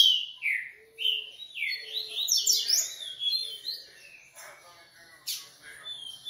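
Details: Coleiro singing a rapid, varied string of whistled notes, many swooping downward, with dense trilled bursts in the middle and a sharp rising note near the end.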